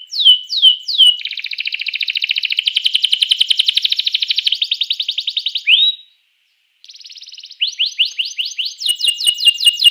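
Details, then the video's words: Song of a canary meant to trigger other canaries to sing: opening upslurs, a long rapid buzzing trill lasting several seconds, a short pause, then a series of rising sweeps and high whistled notes. "Ga ada lawan suara kenari ini 99% jitu sekali membuat kenari lawan gacor"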